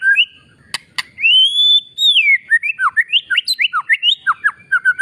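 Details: Oriental magpie-robin training song meant to stir lazy birds and males into singing: two sharp clicks, then a long rising and falling whistle, followed by a fast series of short downslurred whistled notes.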